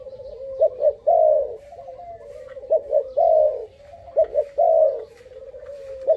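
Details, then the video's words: Dove youngster just five months old, called very brave, delivers soft low coos in uneven sequences, short stutters leading into a rolling extended note, repeated several times in six seconds. "កូនលលកទើបឡើងអាយុ 5ខែហ៊ានខ្លាំង"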